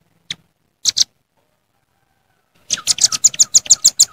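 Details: Velvet-fronted nuthatch calling rivals in the wild. A few isolated sharp high chips come first, then a quiet pause, then a fast, steady run of piercing chit notes to the end.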